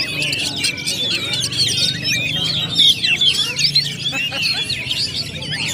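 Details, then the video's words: At a bird-singing contest ground, several Oriental magpie-robins sing together in a steady stream of high whistles, slurred notes and scratchy chips, with a low murmur underneath. "DUEL KACER ONE BY ONE‼️SUASANA KACER AREA LOMBA IKUT GACOR SEMUA"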